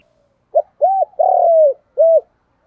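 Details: Spotted dove cooing, compiled as a lure call to stimulate and attract doves. Four soft, low, hollow coo notes: a short one, a rounded one, a longer drawn-out coo, then a final one after a pause. There is no background noise.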